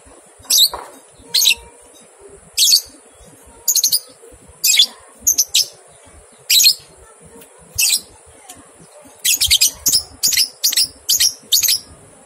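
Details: Lovebird ngekek song from a training recording meant to get two-month-old young lovebirds to join in singing: short high sharp chirp bursts, spaced about a second apart at first, then quickening into a fast run of repeated trills near the end.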